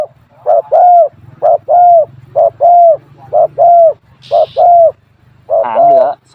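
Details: Spotted Dove from Thailand, a decoy bird moulting its tail, giving a small-voiced two-coo call: five paired phrases, each a short low coo followed by a longer, slightly rising coo, about one second apart. A sharp clap and a man's voice follow.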